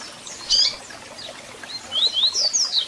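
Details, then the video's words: Brief double-collared seedeater song with chirp, to excite a captive bird: one bright sharp chip note, a short pause, then a few quick high whistled notes sliding up and down. "Canto de Coleiro com Piado para Foguear e Esquentar Seu Coleiro ou Papa-capim"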